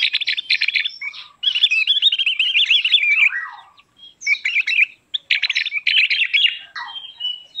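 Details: Song of a Javan grey-throated white-eye, used for luring and for training birds: dense high warbling with a long wavering trilled phrase, a brief break around four to five seconds, then more fast chatter.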